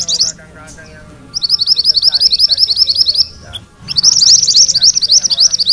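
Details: Yellow mantenan delivering a rolling song used to train magpie-robins: a short burst, a lull with soft lower twitters, then long runs of quick high repeated notes.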